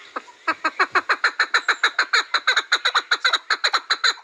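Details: Chukar partridge calling in a long rhythmic run of short, downward-sweeping chuck notes, about three per second, steady and loud after a brief quiet start.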